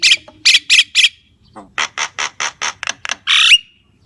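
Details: Javan myna giving a string of harsh grating squawks, first slower then quicker, ending in a longer buzzy screech that breaks into a brief whistle.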